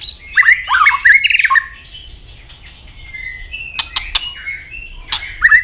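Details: Fighting song of a white-rumped shama just coming into breeding condition, hopping and snapping its tail. A rich warbled phrase of varied whistles comes first. Then there is a quiet gap with a few sharp clicks and a brief closing note.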